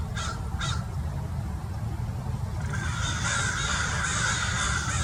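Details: American Crows mobbing a perched Peregrine Falcon in Mason Regional Park, Irvine, California: two sharp caws, a pause, then a dense stretch of overlapping harsh caws from several birds, with low wind rumble throughout.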